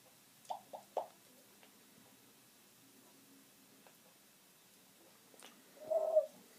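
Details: Pet parrot perched on a bathroom curtain rod while someone washes hands, making a few short vocal utterances: three quick mid-pitched syllables early on, then a louder drawn-out sound near the end, with quiet pauses between.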